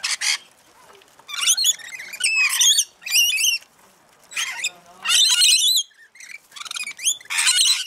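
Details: Feeding rainbow lorikeets give grating, buzzy squawks and twisting shrill notes in irregular bursts separated by quieter gaps, several birds calling over each other.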